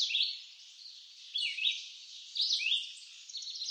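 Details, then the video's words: Red-eyed vireo in eastern North American woods giving three short whistled phrases about a second apart, partly blurred by a loud steady hiss. "Red-eyed Vireo Bird Song"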